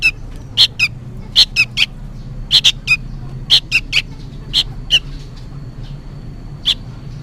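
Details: Noisy fledgling sooty-headed bulbul seemingly calling its parent: bright, abrupt chirps in pairs and triplets, spaced irregularly and fading toward the end, with low background hum.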